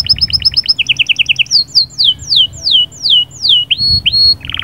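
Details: Song of a canary, sahsahat and batbatat style, said to ready the female for mating; quick chirp trills slow into long, loud, descending whistled slurs repeated about twice a second, ending in a buzzy note.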